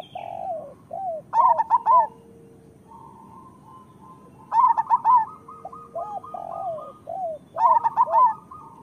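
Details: Zebra dove of a local Indonesian strain giving its bubbling song, a rapid burst of four or five curved coo notes roughly every three seconds, while quieter doves coo and a steady buzzy trill runs in between.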